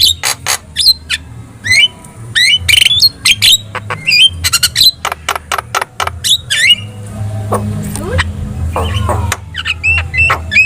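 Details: A lively Javan myna in a masteran recording for getting other birds to respond. Fast alternating clicks and short upslurred whistles repeat in bursts, thinning toward the end, against a low background hum.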